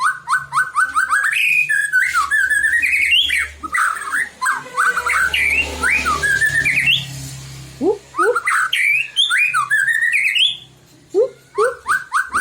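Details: White-rumped shama singing to provoke other shamas into song: loud, varied whistled phrases, rising slurs and rapid buzzy notes in quick bursts, with short pauses and a faint low hum behind.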